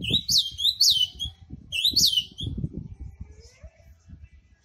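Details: Kept ultramarine grosbeak singing its short, fast song: two quick phrases of sweet whistled notes that swoop up and down, each phrase under a second, over low rumbling room noise.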